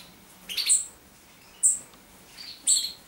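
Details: Common chaffinch giving short bright call notes about once a second, each a brief burst of high chinking sound with a sharp very high spot on top, quiet background between calls.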